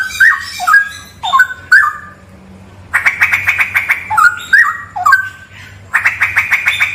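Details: Straw-headed bulbul song: loud, rich gurgling whistled phrases, slurred and bubbling, in bursts separated by short pauses, with a low hum beneath.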